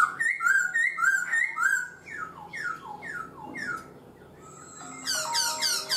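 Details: Black-throated laughingthrush, four months in a cage, sings repeated loud whistled phrases roughly twice a second, then a run of descending slurred notes, ending in a sharp burst of high, rapid trills.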